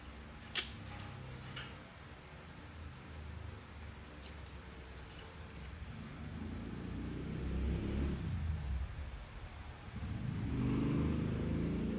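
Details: Low rumbling, a few sharp clicks and swelling background noise, with no animal voice. The rumble rises and falls like a passing vehicle or household machinery.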